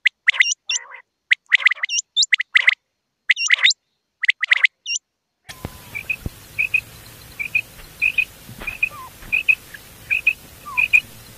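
A common quail gives sharp, liquid three-note calls, repeated about once a second. Later, shorter single notes continue over background hiss.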